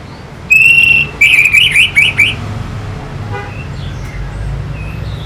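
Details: Orange-headed thrush singing, used to stimulate fighting birds: one clear, level, sustained whistle, then about five quick undulating warbled notes, followed by faint scattered chirps over a soft hum.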